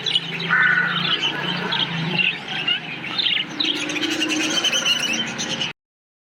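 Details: Flock of parakeets in a colony chattering, overlapping chirps and squawks with some lower grating notes beneath, the whole chorus cutting off abruptly into silence just before the end.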